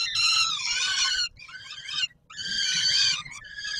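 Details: Harsh peregrine falcon screams at feeding time on the Palace of Culture and Science, Warsaw, Poland, 17 July 2022. Loud rasping wails alternate with softer, wavering notes, with one clear pause.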